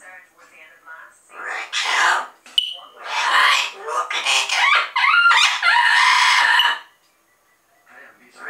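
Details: Double yellow-headed amazon parrots in a long, loud, raucous stretch of overlapping screeches and garbled, voice-like squawks. A brief clear whistle is heard near the middle, and the sequence ends in sudden quiet.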